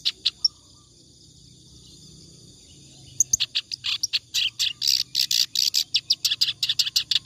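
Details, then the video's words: Clamorous reed warbler singing ngacor, for tutoring other birds: a few sharp notes, a quiet pause of nearly three seconds, then a loud rush of fast, rasping chatter that builds and continues. "BURUNG KERAK BASI NGACOR COCOK BUAT MASTERAN"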